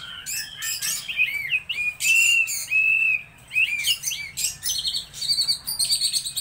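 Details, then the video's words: Laughingthrush song: varied whistled phrases of high notes, with sweeping slurred whistles, sustained clear tones near the middle, and rapid chirpy bursts toward the end, delivered in loud runs separated by short pauses. "Chim Mi hót đỉnh"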